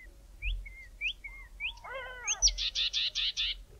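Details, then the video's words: Grey tits singing in the early morning in the southern Karoo in mid winter: thin, upslurred whistles and a brief harsh chatter, then a fast run of six loud buzzy notes. "GREY TITS singing"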